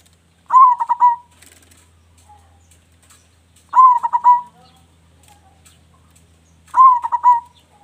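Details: Local Indonesian zebra dove with a big voice, singing actively, offered as a lure to prompt other doves: a low, staccato cooing phrase of rapid pulsed notes ending in a drawn-out coo, repeated about every three seconds, with faint background chirps.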